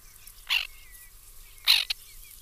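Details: At a nesting colony in the 2021 breeding season, a white-winged tern gives two loud, grating, downward-sweeping rasps about a second apart. A short clipped note follows the second, and a faint whistle runs behind.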